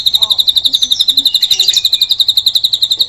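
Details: Drongo delivering a cililin-type filler phrase, offered as tutor song for trained songbirds. One unbroken, very fast series of sharp, high, evenly spaced ticks, roughly eight per second, with faint lower chirps beneath.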